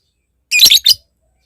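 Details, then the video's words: ['Lovebird, recorded as a lure to provoke a rival, giving two short harsh squawks in quick succession, the first longer and grating, the second clipped, followed by silence.'] "Suara Lovebird Memanggil Lawan Ini, ngetik lanjut ngekek"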